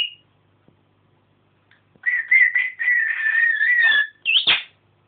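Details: African grey parrot kept indoors, doing all sorts of noises: a sustained warbling whistle wavering around one pitch for about two seconds, ending with a sharp upward-then-downward whistled note.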